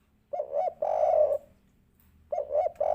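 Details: Spotted dove (derkuku), 'kuk 3' lure call: two short, low coos followed by a longer drawn-out coo, the pattern starting again after a brief pause.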